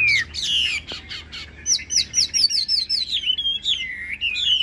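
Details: Caged Chinese hwamei with a fig-leaf tail pours out rich whistled song: slurred notes, then a rapid string of high descending whistles, and finally lower warbling phrases.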